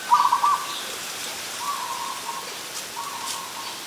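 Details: Zebra dove, an adult, in Ubon Ratchathani, Thailand, 24 December 2020, giving a rapid stuttering series of soft coos, followed by two fainter, longer purring phrases about one and a half seconds apart, with light background hiss.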